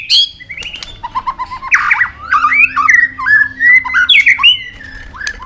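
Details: White-rumped shama, tail-flicking on its perch, gives a long competition song in forest voice meant to fire up another bird. Rich, mellow whistles glide and twist, broken by crisp ticks, with one phrase quickly following another.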